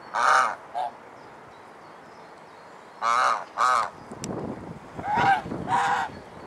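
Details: Domestic swan goose in Alkmaar, Holland, gives loud, nasal honks in pairs and short bursts, about six calls over several seconds, with faint rustling between them.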